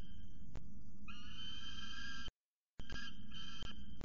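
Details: Young male peregrine falcon at the CSU Orange scrape, 12.12.19, having a screaming fit after driving his mother away; drawn-out, harsh, strongly harmonic screams broken by a short gap, with low rumbling background noise.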